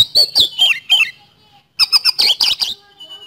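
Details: Oriental magpie-robin (kacer) giving a rapid speed-roll lure song: choppy runs of sharp, squeaky notes with bending whistles, a pause, then another quick burst ending in a faint thin whistle.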